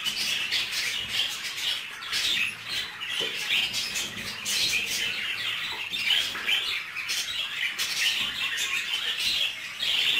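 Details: Budgerigar mating in a cage: loud, unbroken chattering warble with rapid clicks and scratchy chirps, densely layered and continuous.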